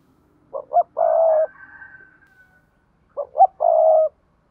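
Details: Spotted dove calling coo for bird keepers: two phrases, each two short rising notes and then a long, steady, low coo. A soft, higher murmur trails after the first phrase.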